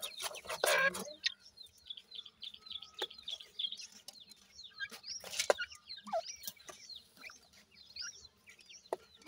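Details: Partridge male and female feeding their 25-day-old chicks: a loud, harsh clucking burst, then many thin, high chick peeps scattered through the clip, with soft background rustling and knocks.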